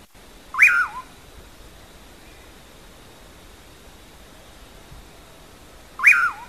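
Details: Common pauraque (bacurau) song, the phrase known locally as "amanhã eu vou": two loud whistled notes about five seconds apart, each sliding up then dropping away in a hoarse slur, over a faint steady hum.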